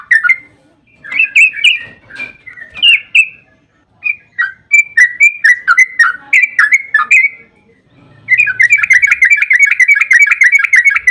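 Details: Long rolling 'ropel' song of a Yellow-vented bulbul, played to make other bulbuls respond. Varied bubbly whistled phrases and falling slurs lead into a sustained rapid trill of repeated bright notes, about three per second.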